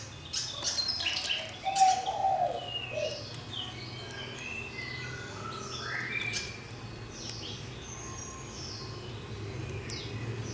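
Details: Fantail kept in a cage for one year, in a roomy enclosure, singing: a loose run of clear, short whistled notes, some rising and some falling, spread over varied pitches at an uneven pace, with low background hum.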